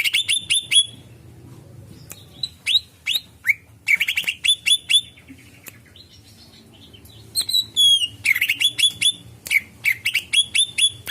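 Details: Greater green leafbird singing to attract other birds: rapid, energetic series of whistled chirps and sweeping notes, some falling slurs, delivered in dense bursts with brief gaps over a faint steady low hum.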